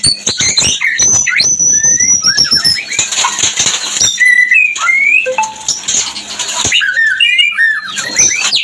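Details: Mating song of a white-rumped shama, used to raise breeding condition in other shamas: dense clicks and rattles mixed with very high thin whistles, then short rising whistled slurs and warbled phrases amid scratchy noise.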